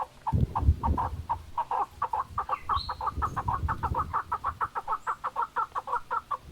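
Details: Mountain partridges give a rapid series of short clucking notes, quickening into an even rhythm, with low thumps and rustling early on and a brief higher bird note in the background.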